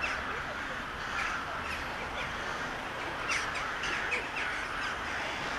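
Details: Crows massing in a flock described as a crow 'wedding' in Sevastopol, filmed on a Toshiba Camileo P30: dense overlapping harsh caws from many birds, irregular and continuous, over a steady hiss of background noise.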